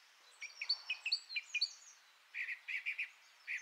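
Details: Song thrush song with a burst of thin, high twittering notes, a brief pause, then a run of harsher, repeated chirping notes.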